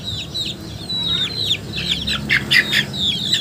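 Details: Chicken calls: many high, thin peeps sliding downward, overlapping from several birds at once, with a faint low rumble underneath.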